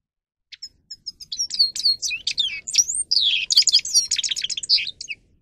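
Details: Training song from a grey-crowned goldfinch. Sparse high chips build into a rapid tumbling twitter of whistles, buzzy rattles and down-slurred notes, staying loud and continuous for about four seconds.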